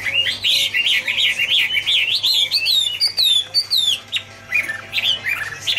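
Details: Chinese hwamei, Garrulax canorus, singing an autumn song: rich, loud run of rapidly repeated whistled phrases, rising and falling, then sharper downslurred notes and scattered softer phrases with brief pauses.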